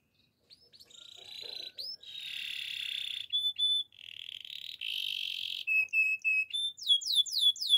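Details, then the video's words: Gloster canary in song. After a quiet start come sustained buzzy, rolling phrases at a steady pitch, a few clear whistled notes, and a finish of quick upward-sweeping chips. "Gloster canary singing"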